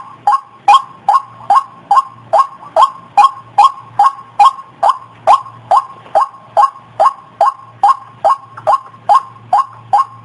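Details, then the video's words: Rapid, regularly repeated croaking notes of a white-breasted waterhen, used as a trapping lure, with an intermittent low hum in the background. "Suara burung Ruak Ruak pemikat"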